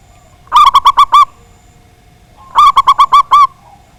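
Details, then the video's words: Local zebra dove with a big voice, used to provoke rivals into singing. Two quick bursts of about six hollow, resonant cooing notes, about two seconds apart, each ending on a slightly drawn-out note, over quiet low background hum. "Perkutut Lokal Gacor Suara Besar, Jago Memancing Lawan"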